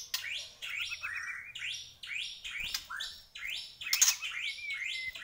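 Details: Vigorous singing from a Borneo white-rumped shama: rhythmic phrases repeated roughly every second, each a bright upward-swept note dropping into a slurred whistle, with one long level whistle near the end.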